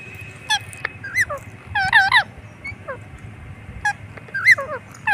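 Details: A pet green parrot gives short, harsh squawks and bent, whistled notes that rise and fall, in bursts every second or so against a low background hum.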